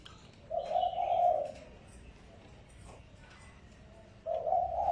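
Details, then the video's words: Spotted dove cooing as a lure: a single low, even phrase of about a second, a long quiet stretch, then the next coo beginning as the recording ends. "Tiếng chim cu gáy mồi mp3 kích bổi"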